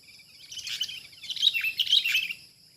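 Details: Wild sooty-headed bulbul in a trapping session: about two seconds of continuous, excited scratchy chatter with bright whistled notes woven through it, rising in strength and then stopping abruptly.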